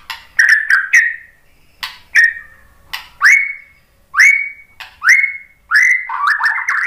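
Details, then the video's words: White-rumped shama lure song to prompt other birds to answer: repeated loud upslurred whistles about every second, each led by a crisp click, ending in a quick run of short notes. "OCEHAN MURAI BATU memancing BUNYI jadi NYAUT GACOR NGEPLONG"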